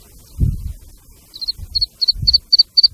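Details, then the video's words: Black francolin chicks and female calling: thin, high paired peeps start after a pause and repeat rapidly about four times a second, mixed with low thumping handling sounds. "black partridge chicks and female calling for hunting | کالی تیتری اور بچے کی آواز"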